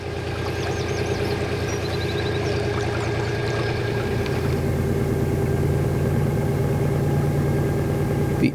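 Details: A steady low engine drones throughout, like a boat or vehicle idling, with no clear animal sound.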